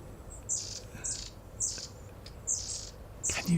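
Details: Long-tailed tits in an English garden on 11 December, giving thin, very high-pitched calls about every two-thirds of a second, over a low background rumble and a man's voice nearby.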